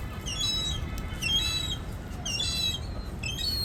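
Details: Gull crying for food: high, thin harmonic cries come in short bursts about once a second, some sliding downward, with faint rustling and wing flaps behind.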